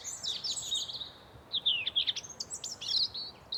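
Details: Wild birds in a forest, chirping in quick high-pitched, twittering phrases with sliding notes, several short bursts spaced irregularly over a faint, steady background hiss.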